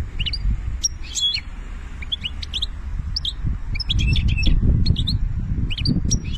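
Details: European goldfinch singing banna-style song from Algeria: busy run of sharp, high chirps and twitters in loose bursts, some notes rising quickly, against a constant deep rumble in the background.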